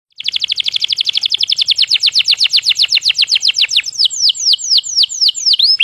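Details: Energetic white-rumped shama song used as bait to provoke other shamas into answering: a rapid run of high, sharply downslurred whistled notes, about four per second, slowing near the end into longer, separate swooping whistles.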